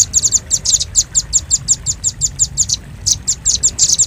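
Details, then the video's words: Velvet-fronted nuthatch luring sound: quick, high-pitched dry chips in a steady sequence, a brief pause near three seconds, then more clustered ticks. "Suara pikat burung rambatan paruh merah paling ampuh"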